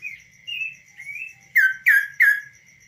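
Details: Tame kaso-kaso bird singing perched on a hand, out of its cage. Soft rising whistled notes give way to three loud, clear down-slurred notes about a third of a second apart, over a steady faint high tone.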